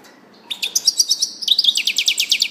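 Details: Fast, bright twittering from a European goldfinch that starts abruptly, with high tinkling notes, then shifts into a rapid rhythmic series of repeated chips, steady and loud throughout.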